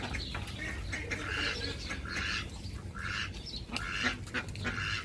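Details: Loud, raspy duck quacks, each a broad buzzy burst, repeated roughly once a second in uneven rhythm, with fainter calls and low background noise between them.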